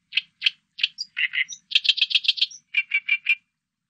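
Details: Oriental reed warbler giving harsh, grating notes: two single chacks, then a run of fast churring bursts, a thin high squeak, and a closing series of four lower rasping notes, all loud against a quiet background.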